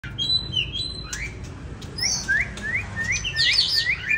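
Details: Winter 2023 songbird in the lamenting 'than già rừng' style: high clear whistles, a slurred upward sweep, then a run of evenly spaced rising notes repeated about every quarter second over soft low background hum.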